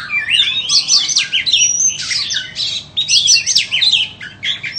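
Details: White-rumped shama offered for sale, singing a loud, continuous, varied song of rapid whistles, harsh squeaky notes and chattering trills in close succession, with brief pauses between phrases.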